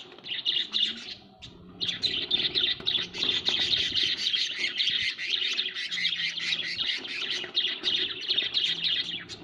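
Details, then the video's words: Several budgerigars at home chattering almost without pause, a thick stream of fast scratchy chirps and warbles after a brief gap near the start, over a faint steady hum. "Bajrigar birds at home"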